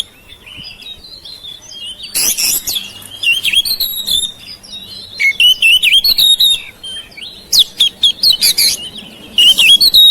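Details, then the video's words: Oriental magpie-robin (kacer) kept at home, singing to encourage silent birds to start; quiet soft whistling followed by loud bursts of scratchy chatter mixed with sweet whistled notes. "KICAUAN KACER RUMAHAN MEMANCING SUARA KACER YANG BISU MACET"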